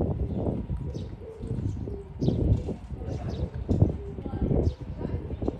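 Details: Oriental turtle dove on 13 April 2024, giving a few low, hoarse cooing notes spaced about a second apart, half buried under heavy low rumble and handling noise, with faint high chirps from other small birds.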